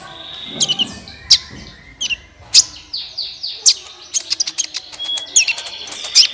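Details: Sunbird song meant to draw other birds into song: sharp, high, slurred chirps repeated at uneven intervals with short buzzy trills, a fairly busy, energetic sequence.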